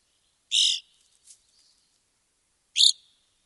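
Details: Wisconsin evening grosbeak calling: a harsh, buzzy note, then a tiny soft chip, and a shorter sharp burry call near the end, in a quiet setting.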